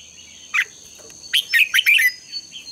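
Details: Red-whiskered bulbul contest singing played to stimulate and train birds: one quick chirp, then a rapid run of warbled, bubbly notes about a second long, against a constant thin high whine.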